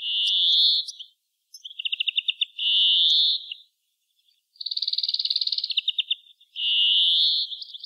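European greenfinch song: high, slightly nasal trills and rapid twittering rattles alternating with sustained buzzy notes, in bursts of about a second or more.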